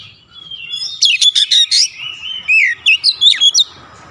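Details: Oriental magpie-robin song, played to help stressed birds recover and sing: a varied stream of whistled slurs and sharp clipped notes in quick bursts, with rising and falling sweeps between them.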